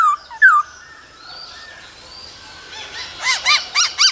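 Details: Laughingthrush male song with female calls in the cold season: two brief whistled slurs, a quiet stretch of thin high tones, then a series of loud arched chirps spaced roughly every quarter second.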